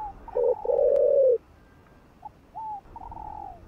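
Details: Spotted dove, also called cu đất, cooing to stimulate rival doves: a short note and a long low hollow coo, then quieter, higher, gliding coos trailing off.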